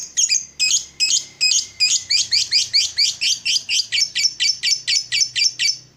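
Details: Lovebird in a morning recording meant to stimulate other lovebirds: loud, harsh, high notes repeated about three times a second, the first few blocky and separated, the rest slurred and even.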